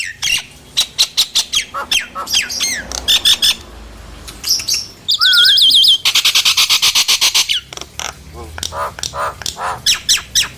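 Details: Nias hill myna singing to stir silent mynas into song: quick harsh chattering notes, a low slurred whistle, a dense burst of rapid rasping pulses, then further sharp clipped calls.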